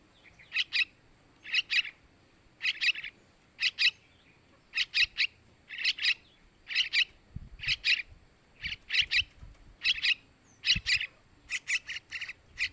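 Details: Lure recording of yellow-vented bulbul chicks begging to attract males: steady series of rough doubled chirps, about one cluster per second, with faint low thumps in the background.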